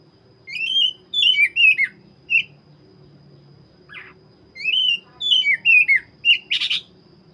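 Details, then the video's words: Black-breasted Oriental magpie-robin singing vigorously: two runs of loud whistled, slurred notes, mostly falling in pitch, separated by a short pause, closing with a harsh rasping burst; a faint steady high tone underneath. "Burung Kacer dada hitam gacor"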